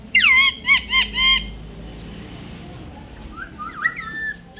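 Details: Rose-ringed parakeet kept as a talking pet, speaking Urdu and Hindi: three quick, loud nasal syllables, then quieter chattering and thin squeaks over a steady background hum.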